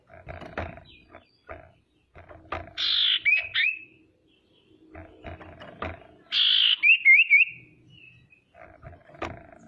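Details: Female common iora used to lure rivals: two buzzy phrases, each breaking into a few wavering whistled notes, separated by repeated clattering knocks and rustles.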